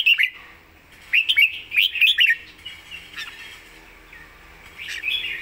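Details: Lively warbling from a red-whiskered bulbul noted for its fine song style and clear, fast delivery: several quick chirpy notes in the first half, then softer trailing phrases and a final rising note.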